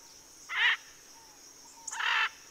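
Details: Macaws cooling off, recorded 7 December 2023 in Southern California, give two harsh, raspy squawks about a second and a half apart, over a faint steady high-pitched whine.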